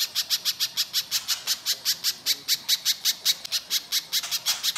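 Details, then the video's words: Coarse 'mbeset' song of a Little spiderhunter, used as a lure to get birds singing: a rapid, unbroken run of sharp, high, scratchy notes, about five each second, with faint background noise. "Pancingan Pijantung Pisang Gacor Mbeset Kasar, Pijantung Bahan Langsung Nyaut Bunyi"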